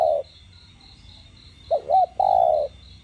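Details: Spotted dove coo played to encourage captive doves to call. The end of a long coo comes first, then two quick curved hoots and a long, steady, falling coo, with a regular high pulsing buzz behind.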